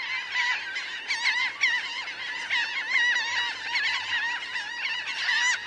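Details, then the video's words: Laughing gulls in a flock of about 1000 on the ground and in flight; loud, dense chorus of bending, nasal cries overlapping without pause. "Laughing Gull. CU Calls From A Large Flock Of About 1000 Birds On Ground, In Fli"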